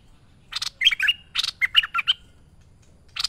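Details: Lively merbah lekir bulbul song used as a master for training: a harsh burst, then a quick run of fluty bubbling notes, ending on another raspy note after a pause.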